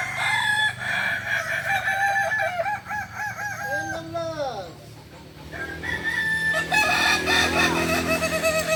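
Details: Kukuak Balenggek roosters competing at a crowing contest final in Ampang Kualo, Kota Solok, 8 September 2024. Several overlapping crows rise and fall in quick stepped syllables, then a short lull before more crowing over a crowd.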